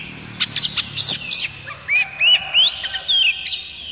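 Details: Typical kacer song of a village Oriental magpie-robin, meant to make other magpie-robins start singing. A short run of sharp chirps followed by bright whistled phrases with rising and wavering slides.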